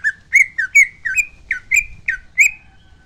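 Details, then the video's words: Greater green leafbird, a kept bird used as a prompt recording in songbird-hobby training, in energetic song: repeated whistled phrases, each a dip then a rising slur, about eight in three seconds. "pancingan cucak ijo hyper extream"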